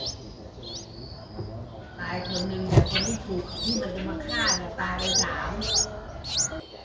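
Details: Streak-eared Bulbul nestlings aged nine days, recorded in Ubon Ratchathani, Thailand, on 11 April 2023. Thin rising chirps repeat irregularly, about 100 per minute. A sharp knock sounds near the middle over a faint low hum.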